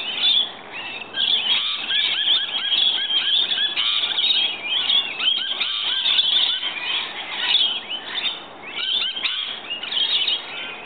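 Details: A flock of rainbow lorikeets (Trichoglossus moluccanus) that arrives every morning to be fed gives harsh, shrill screeches and chattering calls, overlapping almost without pause.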